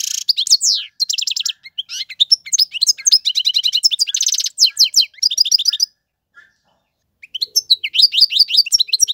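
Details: European goldfinch male singing as a model for young birds: a long, varied outpouring of rapid trills, twangy slurred notes and nasal buzzes, pausing briefly before resuming with sweeping twitters.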